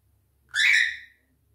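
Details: Pet cockatiel, one of two kept indoors, calling for its owner's attention after being left alone: a single loud, harsh, harmonic screech lasting about half a second, steady in pitch, with faint low room hum beneath.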